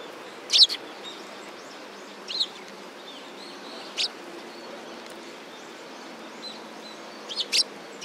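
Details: Sparrows at a Tenmangu shrine, recorded 15 November 2016: a few scattered, sharp high chirps spaced seconds apart over a steady background hiss.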